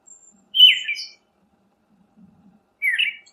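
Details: Two loud, rich whistled phrases from a Siberian thrush, about two seconds apart, the first drawn out and slightly descending, the second a quick warble; background otherwise quiet.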